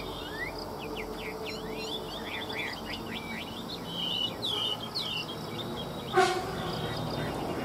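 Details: Chinese hwamei song starting with a fast series of clipped, upswept notes, then several fluid whistled flourishes, and one sharp click near the end, against a soft background hiss.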